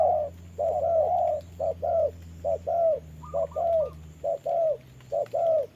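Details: Spotted dove serving as a trapping decoy, fighting a wild bird in the rain; paired mellow coos, one brief then one longer, repeating about once a second, with a faint high trill midway and low hum.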